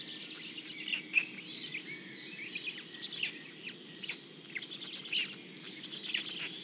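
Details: Heron chicks in the nest, where the parent feeds them fish brought up from its throat, give a busy, overlapping chatter of short, high ticking chirps without a break, over soft background hiss.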